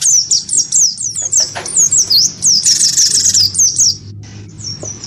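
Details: Wingko-type great tit in a provoked fighting duel with a white-eye, delivering busy overlapping high sharp chirps with a brief rasping patch, fading to softer notes near the close.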